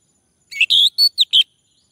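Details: Male orange-headed thrush singing, used to prompt another to sing: one short phrase of four clear whistled notes, sliding and slightly buzzy, in quick succession, then silence.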